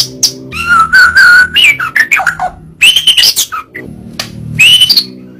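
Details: White-rumped shama song: drawn-out level whistles, descending slurs and clustered chirps, with a steady low hum running beneath.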